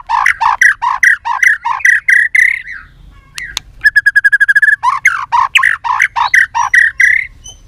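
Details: Female white-rumped shama tạch líu calls used to fire up males: a series of harsh, evenly spaced chattering notes, a brief fast buzzy trill midway, then more rasping notes.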